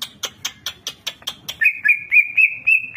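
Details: Greater green leafbird, a champion songbird, giving a full fill-in song: a string of sharp clicking chips, then a steady sequence of short warbled whistles at an even pitch.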